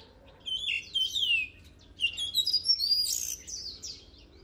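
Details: Oriental magpie-robin song in two bursts of varied whistled phrases, with sweeping downslurred notes and fast high warbles separated by a short pause.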